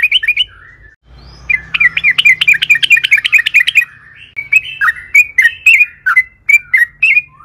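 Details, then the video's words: Yellow-vented bulbul singing actively, offered as a lure to set other bulbuls singing; a fast chattering roll of sharp chirps, followed by a string of separate bubbly, warbling phrases with short gaps. "trucukan gacor panjang AMPUH buat PANCINGAN TRUCUKAN AGAR BUNYI"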